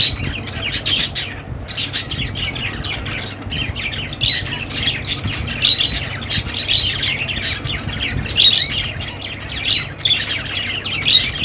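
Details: Clear budgerigar chatter: bright, rapid chirps and squawks in rising bursts every second or two, the background otherwise fairly quiet.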